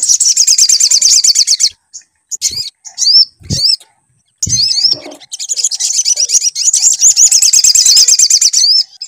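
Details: Sunbird lure song to prompt singing: fast, high-pitched rippling trills that break into separate upslurred whistled notes with gaps and low thumps. Then a long stretch of dense, shrill twittering.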